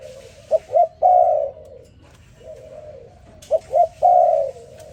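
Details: Spotted dove calling in the morning: two short rising coos followed by a longer drawn-out coo, a low mellow phrase given twice, with softer distant cooing between phrases.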